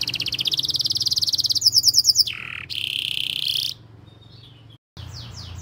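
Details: Canary singing in a recording made to teach young canaries and spur silent ones: a rolling, rattling trill, a brighter quick trill, a lower buzzy note, then a steady high trill, with a short break before faint notes resume.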